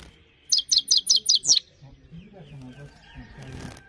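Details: Himalayan goldfinch song: six evenly spaced, high, buzzy chirps over about a second, then quieter background rustling and faint distant bird notes.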